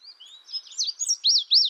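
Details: Brief Indigo bunting phrase: a thin rising whistle, then louder slurred notes and two strong, arching high notes at the end.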